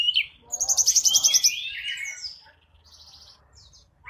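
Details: Grey-cheeked bulbul lure call used to attract wild birds: bright chirps, then a fast run of about ten sharp high notes, followed by lower slurred whistles and faint scattered chirps.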